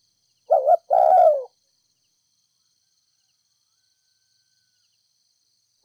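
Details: Spotted dove from Ninh Thuận, a ground-dwelling decoy bird, cooing to stir up other doves; a short low coo and a longer mellow coo, then silence before the next phrase begins.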